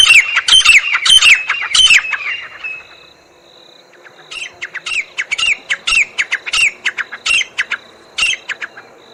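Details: Grey francolin, a wild jungle teetar, giving its call: a burst of harsh squawking notes, a brief lull, then a quieter run of rapid repeated calls with a faint steady tone in the background.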